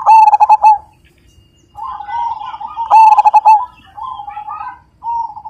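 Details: Majapahit perkutut zebra dove giving its loud song: a stuttered coo phrase, a pause, then another strong rolling phrase followed by softer trailing coos.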